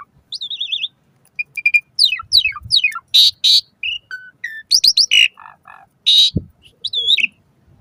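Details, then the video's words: Asian pied starling song, offered as a morning and evening lure for caged starlings. A wavering whistle, clicks, descending slurred notes, loud harsh buzzy bursts and brief nasal tones, delivered in a jumbled, varied sequence. "Suara Kicau Jalak Suren"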